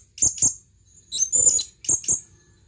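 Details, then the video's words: Calling for a female, a male blue-crowned hanging parrot gives two quick pairs of shrill, high chirps framing a longer, buzzier squeaking note in the middle. "suara burung serindit memanggil panggilan"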